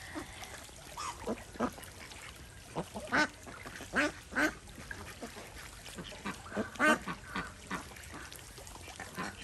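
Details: Desi ducks on a small Indian village farm, swimming in a pond; scattered short, harsh quacks, some paired in quick succession, over a steady rustling, watery background.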